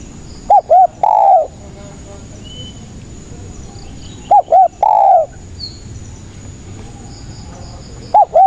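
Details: Spotted dove in full song, a recording used as a lure to trap doves: two short hollow coos followed by a longer, louder descending croo, the phrase repeating about every four seconds over a quiet background.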